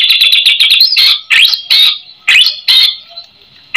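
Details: White-rumped shama song with rich mimicked phrases, played as a lure to prompt other shamas to reply: rapid harsh chattering notes, then scratchy rasping bursts with upswept whistles spaced irregularly.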